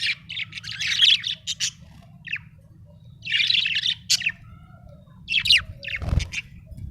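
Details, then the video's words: Happy budgie chirping busily: rapid runs of scratchy, warbling high notes in three bouts, with a low knock near the end and a steady background hum. "happy budgie chirping sound"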